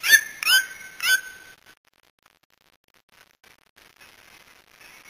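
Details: A white-throated toucan (Ramphastos tucanus) in Brazil gives three loud, harsh yelping notes about half a second apart, each rising then falling, followed by faint background rustle.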